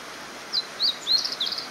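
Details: A blue-and-white flycatcher beside a stream on 22 May 2018 sings a short run of four or five high, clear, slurred whistles in quick succession over a soft, steady rushing background.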